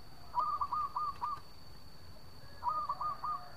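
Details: Local zebra dove singing for use as a lure, heard somewhat distant: two rolling phrases of soft coos over hiss and a steady high electrical tone.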